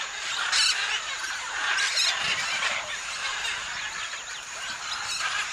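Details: Scarlet and blue-and-gold macaws at a Tambopata clay lick: a dense flock chorus of harsh, raspy screeches, with several louder squawks standing out over a continuous high chatter of many parrots.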